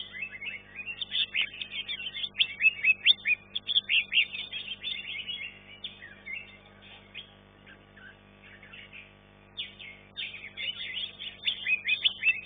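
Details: Singing-contest green leafbird, third-place class-one entrant: energetic bursts of sharp chirps and whistled sweeps, a softer gap around eight seconds, then vigorous song again.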